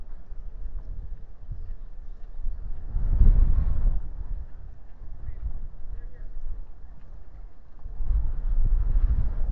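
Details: Low wind rumble surging in gusts, with faint traffic-like noise and no clear animal voice.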